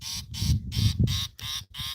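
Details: Southern fiscal (Lanius collaris) in the Western Cape, South Africa, 13 January 2026, gives five harsh, grating bursts in two seconds, a deceptive false alarm call aimed at a foraging yellow mongoose, over a low background rumble.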